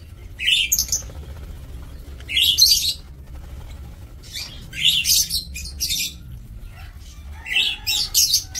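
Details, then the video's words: Lovebirds in a breeding aviary, recorded 2 October 2024: repeated bursts of shrill, raspy high chirps, about four clusters over the span, with quieter gaps and steady low background noise between. "Aviary Lovebird"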